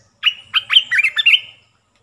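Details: Olive-winged bulbul three-phrase lure song for calling in wild birds; five rapid, rolling warbled notes sweeping up and down, bright and close, with a short whistled tail.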